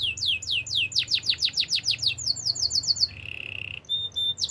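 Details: Singing canary, recorded for song training, delivers rapid repeated descending whistled sweeps that speed up into a quicker series, then a low buzzy rattle and short high pulsed notes before the sweeps resume.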